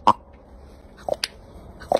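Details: Common raven, a male rescued in 2009 in Sylva, North Carolina, whose wing injury left him largely flightless, gives his distinctive greeting on seeing a woman: sharp, hollow knocks and clicks, one at the start, a quick pair mid-way, one near the end, in a quiet room.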